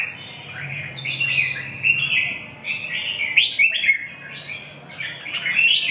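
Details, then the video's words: Red-whiskered bulbul (chào mào) delivering lively, slurred whistled phrases about every two seconds, each rising and falling in pitch. "chim Chào mào"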